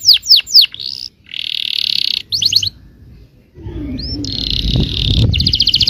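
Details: Yellow canary song used to draw answers from other canaries: three sharp descending notes, buzzy rolls and short trills separated by pauses, with some low background rumble toward the end.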